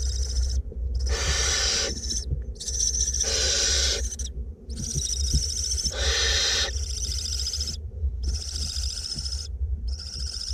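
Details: Two barn owlets in a nest box in north Glasgow hiss while being fed: long rasping, noisy bursts of about a second each, broken by short gaps, over a steady low hum.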